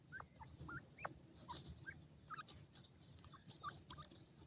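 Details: White francolin (teetar) chicks playing freely give short, thin, downward-slurred peeps, about a dozen in four and a half seconds, over a steady background hiss.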